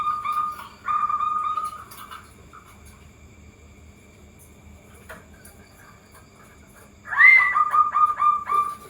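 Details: Zebra dove song used to prompt other zebra doves to answer quickly: short rolling trilled phrases, one near the start and another after a long quiet gap, each a rapid run of repeated notes.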